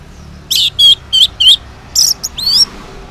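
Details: Orange-headed thrush morning song, used to draw replies from silent males; four loud, rich, slurred notes about a third of a second apart, then a brief pause and a varied rising phrase.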